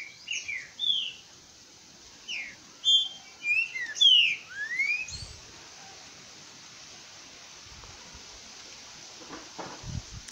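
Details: Green-winged saltator, known locally as trinca-ferro verdadeiro, singing at 11:48 in the morning in late August: short separated whistled notes followed by a rapid run of bright, slurred whistles, then steady hiss with faint low knocks.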